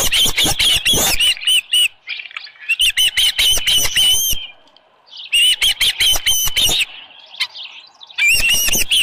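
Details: At the Dunrovin Ranch osprey nest, morning of 24 July 2018, a headless fish present: bursts of loud, piercing whistled chirps in quick runs, separated by short quiet gaps of a second or so.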